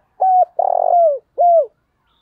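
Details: Spotted dove decoy bird giving its 'thúc bổi' lure call for wild doves: a short clear coo, then a longer rolling, burred coo that slides downward, then a final falling coo, with silence around.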